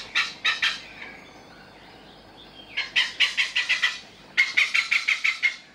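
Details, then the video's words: A male Oriental pied hornbill foraging in the morning at a resort in Kaeng Krachan gives loud, harsh cackling notes in quick bursts of two to seven, the last burst a rapid rattling series. "เสียงนกแก๊ก ดังมาก ( THE SOUND OF ORIENTAL PIED HORNBILL )"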